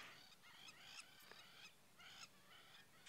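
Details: Lapwings on an airstrip at Djuma Game Reserve on the morning of 21 February 2017 give harsh, scratchy alarm calls in quick bursts, several in three seconds, upset by commotion of zebras and impalas, over a low outdoor hum.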